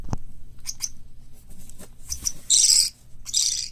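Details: Captive chicks of white lovebird, cockatiel and budgerigar, soon to be let loose in a room for tameness training. A sharp knock opens, then faint ticks, followed by two loud, harsh hissing rasps near the end.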